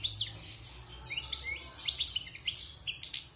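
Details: European goldfinch, a wild bird caged about six months and just out of its moult, singing rapid, twittering high phrases with buzzy slurred notes and bright chirps tumbling together without pause.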